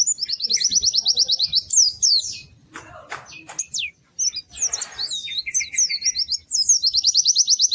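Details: White-eye (pleci) song, lively and melodious: a high rapid trill, then varied swooping whistles and chatter with some scratchy noises, ending in another fast, even trill of repeated high notes.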